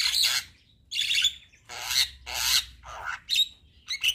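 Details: Javan myna singing persistently and nodding, in a full, phrase-packed song: loud, harsh, broadband squawks in bursts about half a second apart, with a clearer whistled note at the end.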